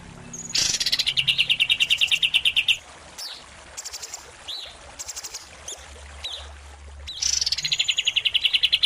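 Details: Greater green leafbird, a prize-winning competition singer, set against a kapas tembak for training captive birds: two bursts of rapid, buzzy, high repeated notes in tembakan style, separated by short whistled slurs and faint background hiss.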